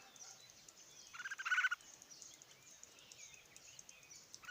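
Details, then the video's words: Red-whiskered bulbul in Odisha giving a single short, rich, warbled call burst of rapid harmonic notes lasting well under a second, followed by quiet background hiss with faint distant chirps. "Red whiskered Bulbul birds Odisha"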